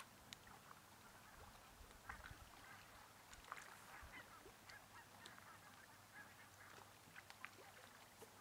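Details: A huge migrating flock of Arctic barnacle geese stopped over in central Finland: many short yapping honks overlap in a constant distant babble, with sharper calls standing out now and then over steady low-pitched background noise.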